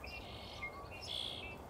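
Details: Several swallows on an April early-spring day at a bay in southern British Columbia twitter in quick, high chirps and short buzzy notes, with a low outdoor rumble underneath.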